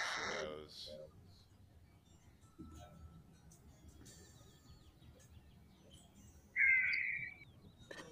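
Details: Harris's hawk recording played back during a bird-watching talk; after faint speech and background noise, a single harsh, drawn-out scream lasting about half a second near the end.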